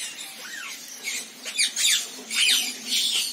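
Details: Rainbow lorikeet calls: quick shrill screeches and chattering squawks in uneven bursts, with a softer arched whistle near the start and louder harsh notes toward the end.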